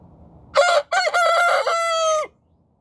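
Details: Rooster's crow at morning, a single full cock-a-doodle-doo: short opening bark, pause, then strained rasping syllables merging into a long even note that drops at the end.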